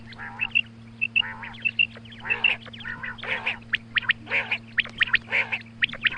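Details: Female quail calling in the morning: harsh, buzzy bursts rich in harmonics alternate with sharp whistled notes, overlapping roughly once a second, with a steady low electrical hum beneath.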